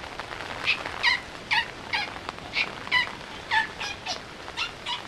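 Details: Laysan albatross (Phoebastria immutabilis) pair courting in the rain, trading short, nasal, braying calls about twice a second in a duet over steady rain hiss.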